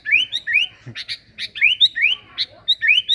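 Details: Sooty-headed bulbul (kutilang) singing eagerly as a lure sound: a quick run of clear, rising whistled notes, some paired, mixed with a few sharp broadband ticks, over a faint low hum.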